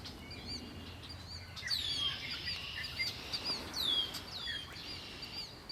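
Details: Birds singing by Lake Erie: sharp, downward-slurred whistles repeat over a steady high buzzy trill, with several birds overlapping and a soft low rumble beneath.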